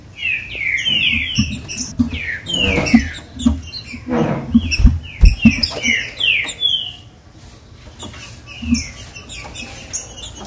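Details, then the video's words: Green-winged saltator song, used to warm up caged birds: long bursts of rapid falling whistled slurs in repeated phrases, broken by thumps and knocks, then a quieter pause and one more short phrase. "TRINCA FERRO OUVIU CANTOU O MELHOR CANTO PARA ESQUENTAR FOGUEAR LEVANTAR SEU TRINCA FERRO"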